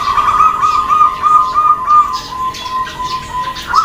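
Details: Female zebra dove calling to make males answer. A long, continuous pulsed trill slowly drops slightly in pitch near the end, with scattered high chirps of other small birds behind it.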